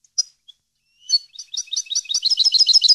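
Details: A European goldfinch from a song recording for educating captive birds gives a few isolated chirps, then launches into an accelerating stream of high tinkling, jingling notes building in loudness.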